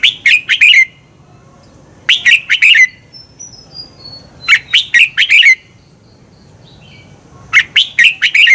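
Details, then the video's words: Red-whiskered bulbul used as a lure or training recording to spur birds into competitive singing: loud, rich warbled phrases of four or five notes, repeated about every two and a half seconds, with a faint high whistle between. "Luyện chào mào hót sáng Giọng xoắn kép hay KÍCH CHIM CĂNG HÓT ĐẤU"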